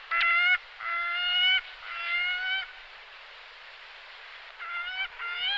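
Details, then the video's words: Gyrfalcon giving harsh harmonic calls, drawn-out notes of about half a second in short series with gaps, then quicker clipped calls at the end, over a steady background hiss. "Кречет Falco rusticolus ГОЛОС"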